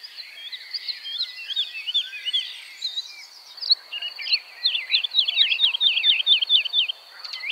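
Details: Woodlark song in the Czech Republic, typically sung by the male in warm, sparsely vegetated breeding areas: a rapid series of liquid, fluty notes, looping and falling, quickening into a rolling run, over a steady high insect-like hiss.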